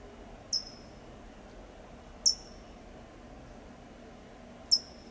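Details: Three sharp, high "tsip" notes at irregular intervals of about two seconds, from a California towhee in Del Monte Forest, California; each note is a quick, thin chip with a brief falling tail.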